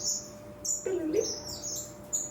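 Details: Captive Black-cheeked Waxbills in an aviary, waiting to be fed, give thin, very high chirps in quick overlapping bursts from several birds, with a brief lower voice-like sound in the middle.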